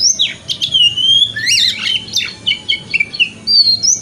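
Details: Oriental magpie-robin (kacer) singing a 'wikplong' lure song meant to stimulate the bird in the morning to open its tail. Clear whistles slide up and down between rapid chirps and trills, closing on a long, even whistled note.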